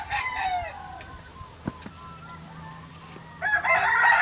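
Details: Farm chickens in Hawaii crowing. A harmonic, falling crow fills the first moment. A quieter stretch with scattered clicks follows, then a loud, noisy burst of further bird sound at the end.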